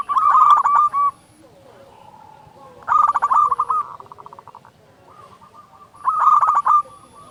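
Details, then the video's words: Zebra dove of a local strain, played to coax quiet doves into song: rapid rolling trilled coo bursts about a second long, roughly every three seconds, with softer drawn-out cooing notes between them. "Perkutut lokal gacor SUARA BESAR pancingan burung perkutut agar bunyi"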